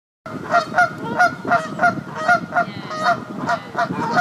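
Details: Canada geese at a nest during egg laying on the South Pond in Midhurst, West Sussex, England, give a rapid series of about thirteen loud, nasal honks, roughly three per second.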